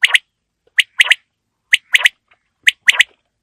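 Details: Quail call for cold winter evenings: sharp, bright three-note phrases, one note then a quick pair, repeated about once a second against a silent background.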